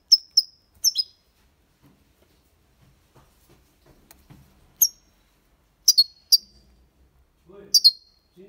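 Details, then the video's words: European goldfinch, copia Málaga song style intended to teach young birds: sharp high double chirps with ringing tails, coming in scattered clusters, with faint soft rustling in the background between phrases. "Cantó de Jilguero (copia malaga ) para Estimular niños pajaros/Chant de Chardonneret élégant"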